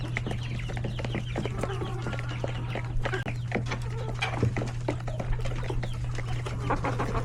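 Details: Chickens, roosters and chicks in a coop with many babies at hectic lunch time; dense overlapping clucks, short peeping chirps and scratchy notes under a steady low hum.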